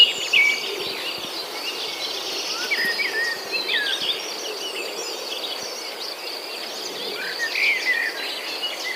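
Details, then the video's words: Birds chirping among green corn plants and palm trees: scattered short high twittering notes and quick rising chirps from several birds over a steady insect-like hiss, with no single dominant singer. "The sound of birds chirping among the corn plants"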